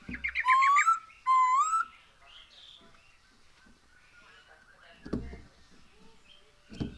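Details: Black-throated laughingthrush song used as a lure to encourage birds to sing: two loud rising whistles, then a quieter stretch with faint chirps and a couple of knocking thuds.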